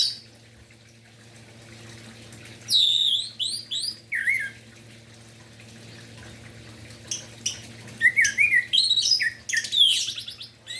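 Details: Orange-headed thrush singing in the morning to arouse song in other birds: after a quiet start, bursts of looping whistles and harsh high notes come in clusters, growing dense toward the end, with a low hum throughout.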